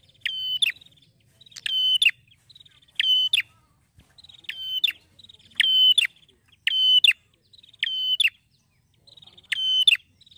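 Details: In the ngeplonk style, a male Bar-winged Prinia sings eight loud, ringing, buzzy phrases with clicking ends. Soft ticks lead into each phrase, and the pace is roughly one per second.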